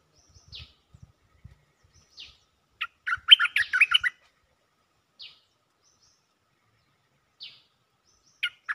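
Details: A cream-vented bulbul gives its mate-attracting call: scattered single downslurred notes, then one dense second-long burst of rapid babbling chirps near three seconds, with faint low thumps early on.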